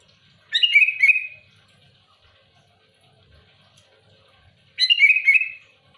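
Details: Sooty-headed bulbul in loud, active challenging song toward rivals, two gurgling phrases with a quick series of notes sliding into a sustained whistle, about four seconds apart.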